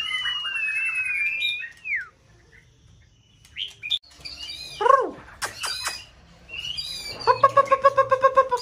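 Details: White-rumped shama in peak season used to excite another bird into song; descending whistles, gaps, sharp swept notes, and a closing rapid trill of repeated low whistles.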